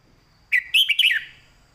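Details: One loud, clear warbling phrase from a caged red-whiskered bulbul singing a master song in southern style, a rising note then a rapid run of slurred whistles fading out.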